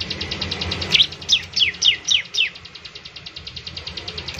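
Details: ['Bar-winged prinia singing to prompt other prinias to sing quickly: a few loud, sharp downslurred chirps over a steady, fast, buzzy pulsing trill that runs through the whole clip.']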